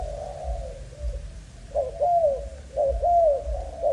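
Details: Spotted dove, young Malaysian-strain bird, with faint low cooing at first, then stronger, clearly arched coos in the second half.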